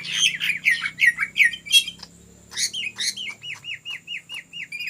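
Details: Ngetrok-style song of a vigorously singing greater green leafbird, used as a lure: rough, buzzy descending phrases, a brief pause, then about a dozen quick, evenly repeated downslurred notes.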